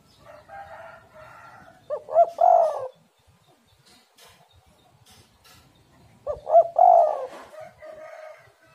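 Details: Spotted dove cooing, played as a lure to get kept doves singing: two phrases about four seconds apart, each a short stuttered pair of notes then a rolling, hoarse coo. A rooster crows faintly at the start.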